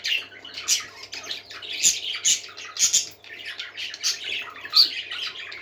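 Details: Group of parakeets in happy song, rapid squawky chattering with repeated louder scratchy bursts about every half second and short high squeaks woven through, over a faint constant low hum.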